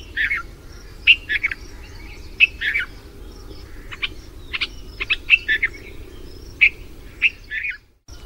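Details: Red-vented bulbul in India after the monsoon gives mate calls: cheerful, bubbly chirps and short liquid phrases, irregularly spaced over several seconds, against a soft low rumble.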